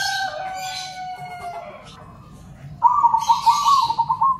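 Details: Local and crossbred zebra doves calling back and forth: long steady whistled tones slide slowly down at first, then a fast pulsed warbling trill follows, with soft hissy noise above.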